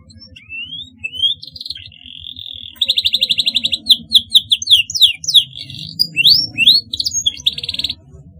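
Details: Singing canary, for young birds still learning their song: thin rising whistles and a held tone lead into fast trills and sharp downward-sweeping chips, ending in a buzzy roll.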